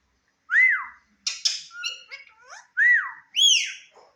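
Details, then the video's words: Indian ringneck parakeet talking before a mirror: loud arched whistles open and close the phrase, with breathy, rasping speech-like syllables between them. "Cute Indian Ringneck Talking Parrot"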